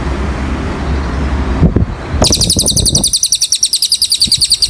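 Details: Cililin song on a tutor recording for training cage birds: low rumbling background noise and a passing vehicle first, then a rapid run of sharp, high, evenly spaced chirps repeated about ten times a second.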